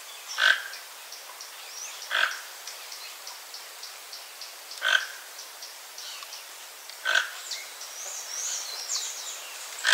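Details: Toco toucan (Ramphastos toco), visiting a backyard papaya tree in Brazil to eat its fruit, gives four short, harsh, grunting croaks a few seconds apart, with faint high chirps of small birds behind.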